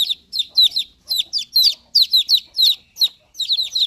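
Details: Newly hatched chicks cheeping: shrill, piercing peeps that slide downward, often doubled or tripled, repeated in quick irregular runs, with no other clear sounds.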